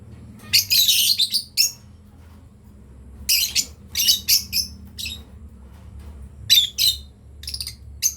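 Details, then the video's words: Breeding pair of lovebirds producing strings of sharp high chirps, a dense burst at the start, then spaced single and paired notes over eight seconds, low hum beneath. "Lovebirds chirping sound"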